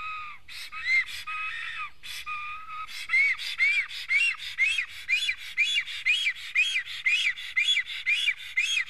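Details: Black stork at an Estonian nest visited by an unwanted stranger: a few lower, flat whistles, then a quickening run of arched, squeaky whistled notes about twice a second.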